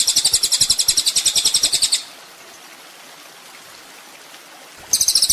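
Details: Sunbird (kolibri ninja) master recording for training cage songbirds: a fast, buzzy, high-pitched trill of evenly spaced pulses for two seconds, three seconds of quiet, then the trill starts again.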